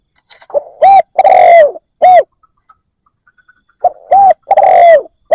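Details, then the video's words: Decoy spotted dove cooing to lure wild doves: two loud phrases, each a short note, a hooked coo, a long drawn falling coo and a closing short coo, separated by a quiet pause. "Cu mồi gáy kích bổi cực nhạy dành cho bổi khó tính"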